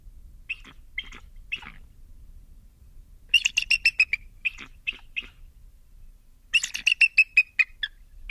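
Bald eagle giving thin, high piping notes, then two fast, squeaky chittering runs that trail off, each lasting about a second, over a faint low background.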